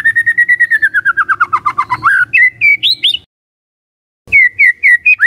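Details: White-rumped shama song used as a lure to provoke other shamas: a fast series of about twenty whistled notes sliding gently downward, then higher clear whistles, a pause of about a second, and more slurred whistles.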